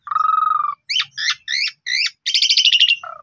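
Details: Asian pied starling song for prompting other birds to sing: a steady nasal buzzy note, then four repeated squeaky two-part whistles, a long harsh rattling trill and a brief low nasal ending.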